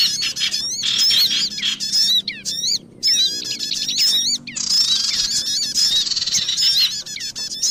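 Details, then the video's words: Sogon bird lure for trapping: long stretches of rapid, ringing, wavering high chirps with strong overtones, a short quiet gap near the middle, then steady dense chattering with a faint hum beneath. "MP3 Pikat Sogon"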